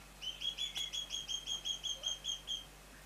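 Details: Three-month-old juvenile Mountain quail, a pair, calling: a fast, even string of about twelve sharp, high whistled notes, roughly four per second, each with a slight downward slur, against a quiet background hum.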